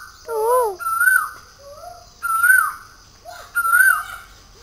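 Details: Cuckoo calling at home: clear whistled notes that rise and fall, repeated roughly every second, opening with a harsher, richer note, over a steady high electrical-like hum.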